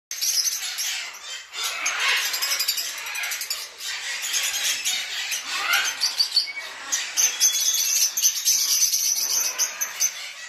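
Yellow-crowned amazon giving harsh, raspy squawks and chattering notes, a near-continuous grating stream with brief pauses and a few high squeaks.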